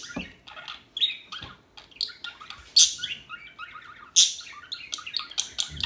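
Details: Calm birds heard in a lively stream of high twittering chirps and short squeaky notes, repeated irregularly about forty times a minute, with two louder sharp bursts standing out among the continuous chatter.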